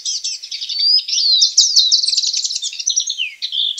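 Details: Hooded siskin singing a fast, varied warble of high chirps, thin rising and falling slurred whistles and a brief buzzy rattle near the middle, running continuously with no other sounds.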